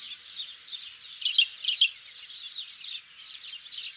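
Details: Sparrow lure sound for hunting, house sparrows giving a continuous jumble of thin, high chirps, with two louder, sharper chirps standing out near the middle amid the softer background chatter.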